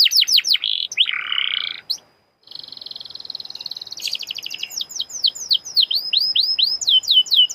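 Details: Canary song intended to prompt other canaries to sing: quick descending whistles and a coarse buzzy phrase, a short silence, then a steady high trill that gives way to repeated V-shaped slurred notes.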